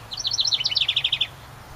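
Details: Close house wren by a cabin, nesting in a ceramic birdhouse in summer, delivering a loud, fast cascade of bright chirping notes that settles into an evenly spaced trill before stopping.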